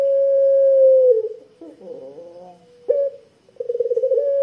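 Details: Barbary dove (puter pelung) whose thick long 'kwook' coo serves as a lure for doves: a held even tone that falls away, a rough throaty middle section, then a short note and a pulsing rising start of another coo.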